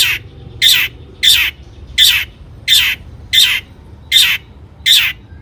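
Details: Long-tailed shrike singing actively, meant to spur other shrikes to sing: eight harsh, rasping notes spaced evenly about two-thirds of a second apart over a quiet background.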